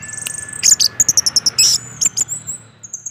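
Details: Orange-headed thrush used as a singing lure for its own kind: a fast series of very high, evenly spaced chips, about ten in two seconds, ending in thin drawn-out whistles.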